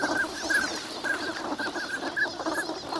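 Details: Ducks spending the winter at Lake Inawashiro, Nagahama, Japan, on a fine morning; short calls come in uneven runs, roughly two per second, from many birds over a quiet watery background.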